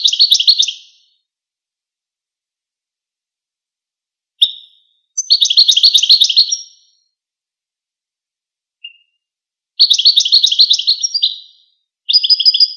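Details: Goldfinch chattering: several bursts of rapid, high twittering notes, each lasting about one to two seconds, separated by pauses and a few isolated short calls, in a quiet setting.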